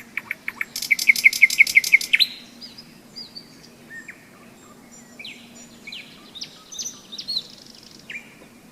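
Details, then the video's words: May song of a nightingale beside the Seversky Donets during a hiking break in storm season: a fast, evenly repeated volley of loud, hard notes, followed by scattered varied whistles and chips. "Майская трель соловья"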